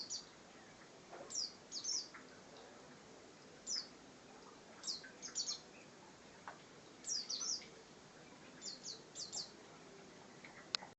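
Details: Bar-winged prinia (ciblek) singing ngebren style: short groups of high, thin, sharp notes repeated irregularly every second or two, over a continuous background hiss.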